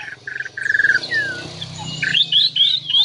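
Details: Bornean variety of white-rumped shama singing as a lure: short whistled notes and sliding phrases, then rapid rising chirpy notes repeated near the end, with a brief spoken word just before.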